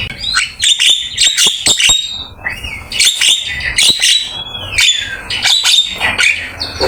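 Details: Black-winged myna master song for training, lively and varied: clusters of sharp, high clicking and whistled notes in quick bursts, separated by short gaps, with a few sliding whistles.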